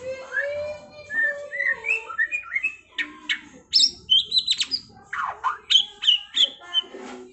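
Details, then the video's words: White-rumped shama trontolan ngeroll song: mellow whistled phrases rising step by step, followed by bursts of harsh, rattling and sharply slurred notes in quick, uneven succession against a quiet background. "Masteran Murai Batu TRONTOLAN NGEROLLLLLLL Edan!! GACOR X Roll"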